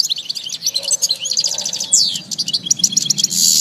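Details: European goldfinch singing: a fast, continuous twittering of high, tinkling notes and short buzzy trills with a quick downslurred whistle near the middle, plus faint low tones in the background.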